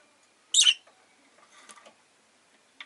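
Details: A pet rosy-faced lovebird gives one loud, shrill, high chirp near the start, followed by fainter scratchy twitters and a short final chirp.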